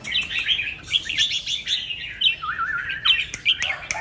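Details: Red-whiskered bulbul recorded in the morning, singing in the doubled 2-3 'rik' manner: a continuous stream of bright, overlapping chirps and slurred whistles, with one lower warbling phrase near the middle.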